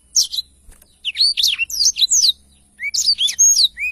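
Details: Tutor recording of a black-throated canary singing energetically ('gacor'): short bursts of high, looping whistled notes and rising slurs separated by brief gaps, ending with clear upswept whistles.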